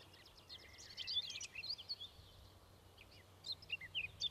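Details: Eurasian skylark delivering a high, jumbled, chattering song of quick chirps and short trills, pausing briefly before more scattered notes, with low background rumble.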